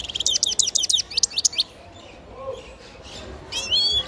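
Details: Young grey-crowned goldfinch nestling singing, opening with a rapid string of high sharp chirps for about a second and a half, a quiet pause, then a brief twittering trill at the close.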